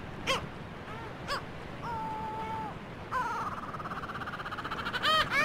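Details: Gulls giving drawn-out mewing wails and a long, wavering, rising cry over a steady rumbling background noise.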